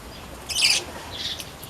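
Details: Weaver, a new resident in a mini aviary, recorded Sunday 27 October 2024; one short, dense burst of high scratchy chirps midway, followed by a fainter chirp, over a steady hiss.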